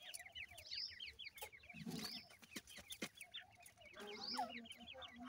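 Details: Several young grey francolins indoors give rapid strings of thin high cheeps, overlapping in a busy chatter, broken by occasional clicks and a soft low rustle.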